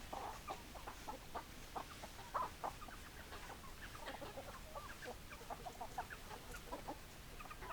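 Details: A flock of chickens gives a dense chatter of quick, low clucks that overlap throughout, with a slightly louder cluck in the middle, under light background noise.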